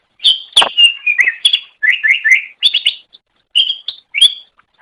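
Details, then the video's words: Cucak ijo singing as a master recording for training songbirds: lively, varied whistled and chattering phrases with quick slurred notes, one sharp click, and brief pauses. "Ocehan Suara Burung Cucak Ijo"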